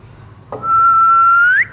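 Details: Single pure whistle from a pet ring-necked parakeet enjoying cool weather, held level for about a second before climbing steeply at the close.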